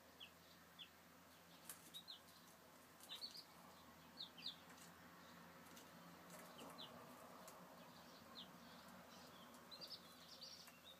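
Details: Chicks, 2013, with clear high downslurred peeps in the first half, then softer scattered cheeps under rising broadband rustling noise and light tapping.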